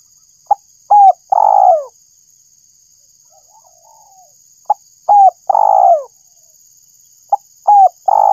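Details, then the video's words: Spotted dove call used for luring birds: three-part coo phrases, a short note, a brief coo, then a long drawn-out falling coo, repeated about every three seconds; a steady high electronic hum runs throughout. "suara burung tekukur_pemancing suara tekukur"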